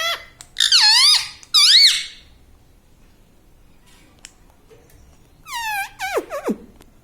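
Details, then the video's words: Parrot at home, saying "Mummy", makes two loud, rising-falling squeaky calls, goes quiet for several seconds, then ends with a cluster of steeply falling harmonic notes. "Parrot talking video Mummy"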